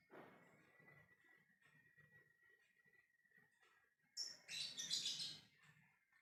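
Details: Lovebird ngekek call aimed at other birds: after four seconds of near-quiet with a faint steady tone, a loud burst of rapid, shrill, grating chatter lasts about a second and a half.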